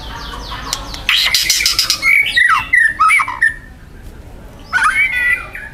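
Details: Young wild white-rumped shama singing loud, dense 'tembakan' bursts of harsh material: sharp buzzy rattles and rapid clicks alternating with clear whistled notes that slur up and down, with quiet gaps between phrases.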